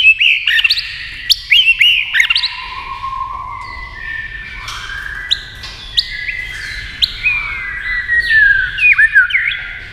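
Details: White-rumped shama singing against a TV, producing dense, overlapping whistles and warbles. Sharp clicks and long sliding notes mingle in a busy, layered stream of song.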